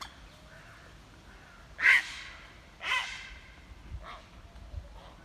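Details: Grey heron approached closely for the first time, giving two loud, harsh, rasping squawks about a second apart, followed by fainter, shorter hoarse calls near the end, over a quiet background.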